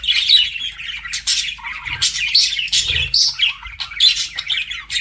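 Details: Flirting budgerigars trade high chirps and short rising whistles among scratchy chatter, with a few soft low bumps in the background.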